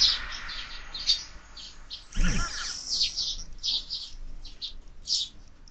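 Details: Quarrelling sparrows at a window feeder, fed all year, chirp in quick high bursts; a sharp broadband thump cuts in early, then the chirping carries on.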